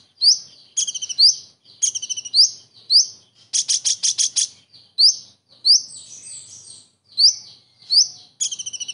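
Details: Full kingfisher-imitation song of a common iora: dense run of shrill rising whistles and stuttering rattles, broken midway by a loud rapid buzzy volley, in a clean quiet recording.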